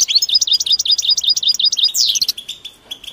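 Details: Goldfinch (European) mating calls meant to stimulate males into singing: rapid, evenly spaced twittering notes, then a sharp downward-sweeping squeal and softer trailing chirps.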